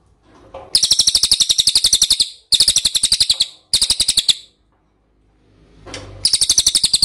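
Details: Lure recording of an ashy tailorbird meant to make other birds answer: shrill, fast-pulsed chattering in four bursts, the third short, separated by brief pauses, with a quiet gap before the last.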